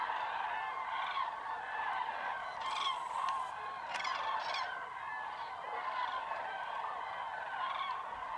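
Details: Common cranes waking at a huge winter roost, mid-January, Tablas de Daimiel, Spain, in icy fog before sunrise. Continuous layered bugling from many birds, with a few louder rolling calls standing out. Greylag geese and teal also share the roost.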